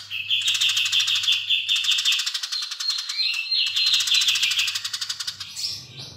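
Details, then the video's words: A Eurasian tree sparrow gives a long, rapid run of bright, rattling chirps, paused once, with a faint low hum underneath. "Gereja Gacor Nyrecet Panjang"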